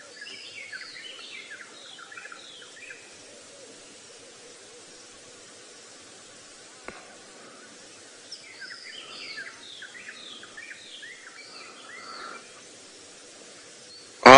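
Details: White-browed robin-chat in Kenya's Maasai Mara at a marsh edge on a 6 AM sunrise drive, 23 August 2017, sings two bursts of rich, quick whistled phrases over a low engine hum, with a sharp knock near the end.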